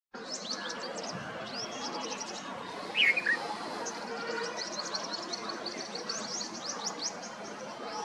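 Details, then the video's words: Bulbul chirping, recorded at IIT Kanpur, India: a short burst of bright chirped notes near the middle, set against a dense, steady chorus of thin, high ticking calls from other birds throughout. "Chirping Bulbul"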